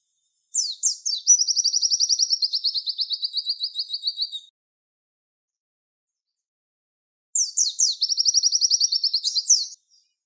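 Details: Tutor recording of a Javan white-eye singing the 'tembakan wit wit' style for training songbirds: two long, rapid, high-pitched chirping trills, each opened by quick downslurs and separated by a few seconds of silence.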